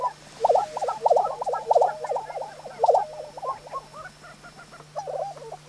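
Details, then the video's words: Several male lesser prairie-chickens displaying on a spring lek in New Mexico around sunrise give a fast, overlapping chorus of bubbling, gobbling notes in a mid-pitched babble, about one or two bursts each second, with a faint steady hum behind. "Lesser Prairie Chickens"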